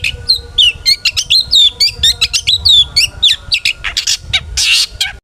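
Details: Energetic long-tailed shrike song used to get other shrikes singing: fast, steady chatter of whistled upslurs and sharp chirps at roughly four notes per second, ending in a few harsh rasping bursts.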